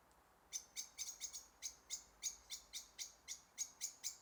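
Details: Two goldcrests in a frosty forest on a chilly winter morning give a steady series of about sixteen very high, thin, piercing notes, roughly four per second, each sharp and briefly ringing, with a quiet background.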